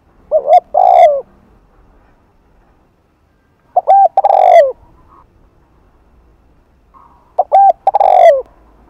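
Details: Afternoon coos of a spotted dove, 'hạp bổi' style, meant to attract other doves: three phrases spaced roughly every three and a half seconds, each two clipped hoots followed by a drawn-out, falling, throaty coo, quiet gaps between.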